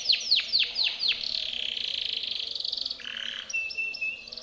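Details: Timbrado canary's training song for other canaries opens with a few loud downward-swooping notes, then a fast buzzy high trill, and ends with short, clear whistled phrases.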